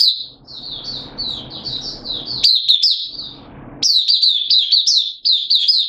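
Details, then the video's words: Kept Mata Puteh, the oriental white-eye, singing continuously: high sweet warbling notes strung together over a low hiss, then louder rapid chirping phrases with short gaps. "Mata Puteh Kitaro Buka Sing"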